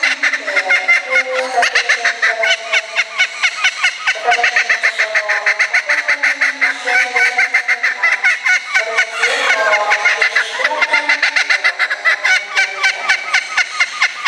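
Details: Laughing kookaburras kept at a bird park in Kakegawa, Japan, calling loudly in reaction to a closing-time announcement over a loudspeaker; dense, raucous cackling chorus of rapid harsh hoots and rolling laughs throughout, several birds overlapping.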